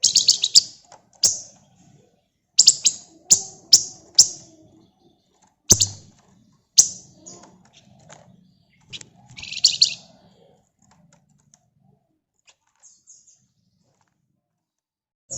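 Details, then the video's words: Flamboyan bird singing ngebren rapat as a lure: a series of sharp, very high, clipped chip notes repeated about every half second in short runs, with a buzzy chatter midway, then falling quiet. "Burung Flamboyan Gacor Ngebren Rapat Pancingan Ampuh"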